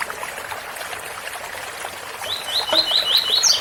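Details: Steady cascade of falling water, then a rusty-collared seedeater breaks in with a tui-tui phrase of rapidly repeated swept notes rising to a high closing chip.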